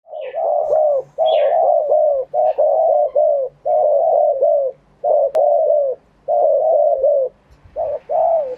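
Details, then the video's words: Spotted dove in Thailand cooing live in true wild-style phrasing (kharm pa thae). The coos are low and mellow, in rapid bubbling phrases of about a second each, repeated almost continuously. A faint higher chirp is heard early on. "เสียงนกเขาใหญ่ ขันสด คารมป่าแท้"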